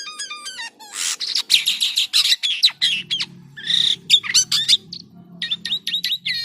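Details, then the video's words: Jalak kapas starling in lively unusual song: a quick series of stacked chip notes, dense harsh chattering, buzzy bursts and a string of sharp repeated clicks toward the end. "SUARA ANEH BURUNG JALAK KAPAS GACOR‼️"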